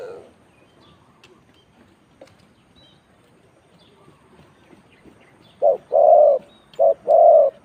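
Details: After several seconds of near silence with faint clicks, a spotted dove delivers ต่อกิ่ง-style coos: two phrases, each a brief low coo followed by a longer rounded one.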